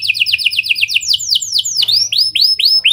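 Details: Canary singing energetically in a lovebird and prenjak style, used as a lure to set other canaries singing long: a fast run of high downslurred notes, then slower, rising upswept whistles repeated about three per second, with faint low hum beneath.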